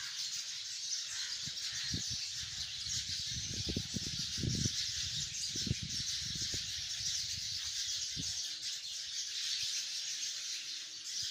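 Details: Sparrows by the hundreds in a tree keep up a steady, shrill chorus of overlapping chirps, while dull low thuds and bumps come and go through the middle section.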